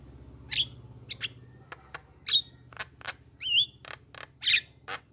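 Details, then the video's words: Javan myna singing as a lure for other mynas: sharp clicks and squeaks, a wavering whistled phrase midway, then harsh squawky notes, over faint low humming. "suara jalak kebo untuk pancingan jalak agar nyaut gacor manggut2"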